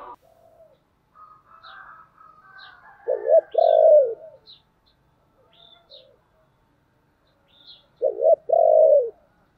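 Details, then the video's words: Spotted dove singing the 'giọng thổ' urging and calling coo: soft, scratchy lead-in notes, then a loud, stuttered, deep coo with a long hoarse ending, repeated about five seconds later. Thin high chirps from other small birds sound throughout. "cu gáy giọng thổ Thúc và gáy gọi hay"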